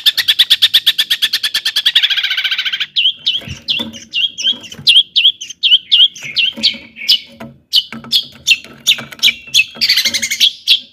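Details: Long-tailed shrike in rich imitative song meant to provoke other shrikes: an opening fast rattling trill, then a chain of quick sharp slurred notes and a final harsh burst.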